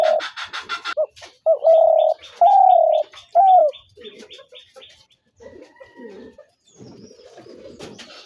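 Spotted dove giving three mellow, slightly rising coos about a second apart, with a rapid series of thin high ticks and faint chirps from other birds.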